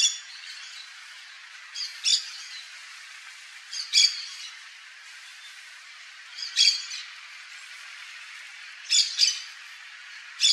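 Yellow-chevroned parakeet giving harsh, high screechy squawks, singly or in quick pairs, every two or three seconds against a quiet background hiss.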